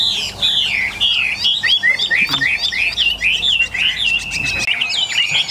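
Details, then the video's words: A newly acquired, tame captive Chinese hwamei, one of eight, heats up and sings a loud, rich, continuous stream of varied whistles, slurs and rapid trills, with no pauses throughout. "hoạ mi thuần"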